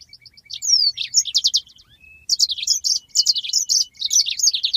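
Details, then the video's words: Training master of a yellow-fronted canary singing a long rolling song: a sweeping whistled slur and quick trill, a brief thin steady tone, then dense high chattering phrases with repeated buzzy notes running on without break. "masteran handal burung Mozambik ngeroll panjang"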